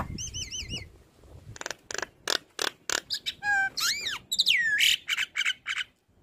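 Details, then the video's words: Jalak kebo (black-winged starling) singing: a wavering whistled trill, a fast run of sharp chips, then rising and falling slurred whistles mixed with harsh notes. "Dengar Suara Khas Jalak Kebo Gacor MAnggut - Manggut"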